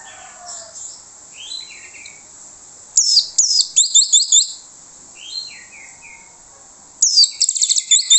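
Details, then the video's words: Orange-headed thrush singing as a lure for other birds to answer: descending whistled slurs alternate with bursts of rapid, high, rhythmic chattering notes, repeated in a pattern of quiet phrase then loud burst. "PANCINGAN ANIS MERAH MANTAP YANG LAIN LANGSUNG NYAUT"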